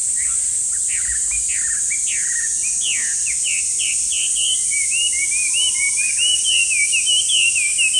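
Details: Chinese hwamei, a noisy brown park bird that is hard to see, singing loud, varied whistles, first sharp downslurred notes, then a rapid rolling series of rising and falling phrases, with a steady high hiss behind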